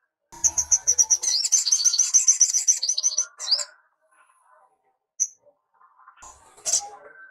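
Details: Sunbird (sogok ontong, also called sogon or sriganti), kept as a tutor for young birds, singing a fast, continuous run of high, bright, rapidly repeated notes for about three seconds, then falling silent except for a couple of isolated sharp chips.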